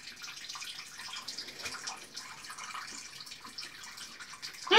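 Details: Running water hisses steadily in a small room, with faint indistinct murmurs and a sharp knock at the very end.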